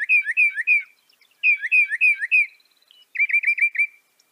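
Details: Northern mockingbird (Mimus polyglottos) song: a slurred, downward-sliding whistled note repeated three times, then the same phrase four times, then a switch to a rapid five-note chattering trill.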